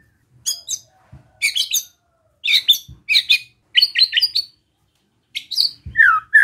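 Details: White-rumped shama singing relaxed besetan song to provoke other shamas: spaced bursts of high, buzzy, rattling notes with sharp clicks, closing on a lower slurred whistle.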